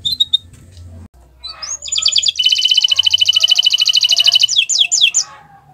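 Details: Canary singing on a Friday morning, a loud rapid rattling trill of repeated high notes lasting about two seconds, preceded by brief thin chirps and followed by a few sharp sweeping whistles.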